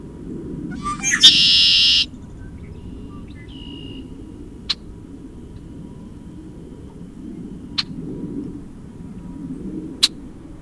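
A Red-winged Blackbird gives one conk-la-ree: quick opening notes, then a loud buzzy trill lasting about a second. A few sharp clicks and low rumble follow.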